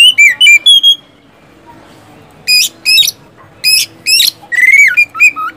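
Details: Oriental magpie-robin in song used to prompt caged birds to sing: a few whistled notes, then a pause and separated harsh buzzy bursts ending in a slurred whistle; faint low background hum.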